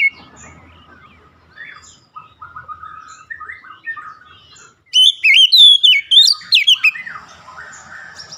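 An Oriental magpie-robin sings soft, varied whistled notes, then bursts into a loud, rich run of rapid, sweet, tumbling phrases before fading back.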